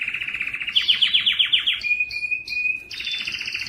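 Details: Strong male canary song meant to spur males to sing, with a rapid trill of descending notes, then a steady whistled tone and a buzzy high trill to finish.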